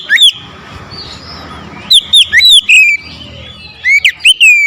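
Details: An oriental magpie-robin, riled into facing a rival, sings hard and loud. Short groups of bright, curving whistles mixed with sharp clicks come in three quick bouts separated by brief quiet gaps.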